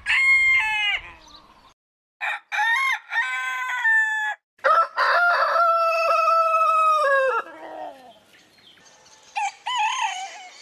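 Several roosters crow one after another: loud, harsh cock-a-doodle-doos, some short and clipped, one drawn out for about three seconds, separated by brief silences.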